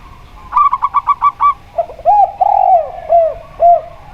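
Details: Local zebra dove in a duel with a spotted dove: a rapid, even burst of seven short staccato notes, then lower drawn-out arching coos of the spotted dove, repeated several times.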